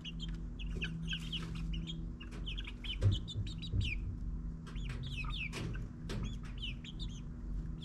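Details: Backyard chicken chicks in their ninth week, kept in a suburban run and foraging for spiders: many short, rising high peeps in quick, scattered bursts, with a few soft thumps over a steady low mechanical hum.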